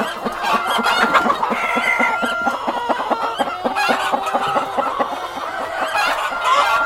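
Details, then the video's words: Hens and a cockerel in a busy group, rapid rhythmic clucking pulses layered with longer tonal calls, many birds calling at once without pause. "World of Sound: (Cockerel and Hens)"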